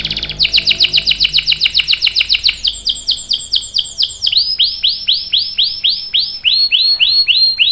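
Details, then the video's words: Canary in full long-roll song for training young canaries: a rapid string of downward chirps slows into evenly spaced, slurred notes at about three per second, then drops to a lower, repeated arching phrase. "KENARI GACOR NGEROL PANJANG"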